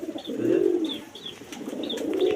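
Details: Domestic native pigeons indoors produce a deep, drawn-out rolling coo that swells and fades, while thin, short higher chirps from small birds sound in the background.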